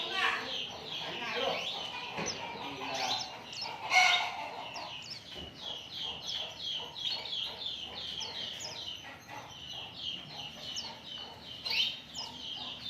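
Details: Lure song of Oriental white-eyes meant to set other birds singing: a long stream of quick, high, downward-slurred notes repeated in rapid series, busy and overlapping throughout.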